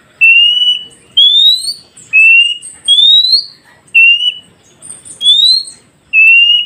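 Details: Oriental magpie-robin song for training newly caught wild birds to respond: clear whistled notes, level ones alternating with rising ones, repeated about once a second, with faint high twitters between.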